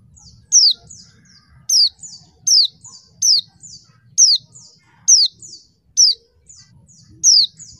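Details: A female white-eye, used as a lure to rouse lazy males into calling, gives thin, high, down-slurred call notes, about one every second, over a low rumbling background.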